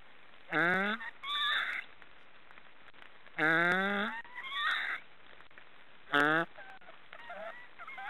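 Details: Three nasal, harmonic honking calls from snoring black storks, about three seconds apart. Each is followed by a hoarse, hissing rasp, with faint squeaky notes near the end.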